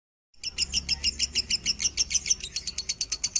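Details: Lovebird singing in the standard-tone minor style. High, thin chirps are repeated rapidly and evenly, about six a second, in a continuous chattering trill.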